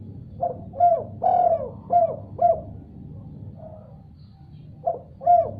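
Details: Responding spotted dove: a phrase of five throaty coos, the third longest and loudest, then a soft trailing coo and after a pause two more, with a low steady hum underneath.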